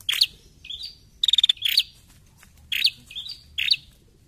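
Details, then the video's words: A female prinia, used as a lure sound, gives sharp, high chirps in short bursts, with one quick stuttering run of about six ticking notes; otherwise quiet. "PRENJAK BETINA! PANCINGAN BUNYI PRENJAK BAHAN"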